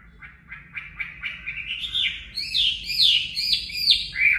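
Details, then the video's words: Chinese hwamei 'mộc' song for training caged birds: a series of short, quick chirps speeds up and grows into loud, swooping whistles and sharp slurred notes. "Luyện giọng Họa Mi mộc"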